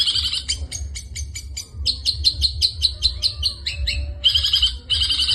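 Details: Long-tailed shrike in full 'gacor full isian' song, a fast varied run of sharp high chirps, trills and buzzy phrases that change character every second or so, ending in loud rasping bursts.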